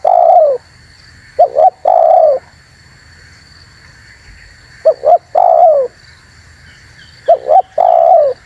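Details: Spotted dove luring call for attracting wild doves and stirring rivals: three phrases, each a brisk two-note coo followed by a sustained, falling coo, separated by quiet gaps.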